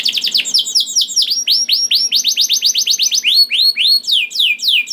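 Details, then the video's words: Singing canary used as a lure to get other canaries singing; a loud run of rapid downward-sweeping whistled notes, about four per second, shifting through several phrase types with a brief flat whistle near the end. "PANCINGAN KENARI GACOR DOR NGEREK PANJANG INI AMPUH BIKIN KENARI LAIN BUNYI"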